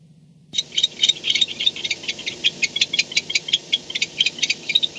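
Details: Barn owl at its nest at night, 4:38 am on 2-10-16, filmed by a nest camera after returning home: after half a second of quiet, rapid dry clicking chitters burst out in uneven trains of high, scratchy pulses, with a faint low hum underneath.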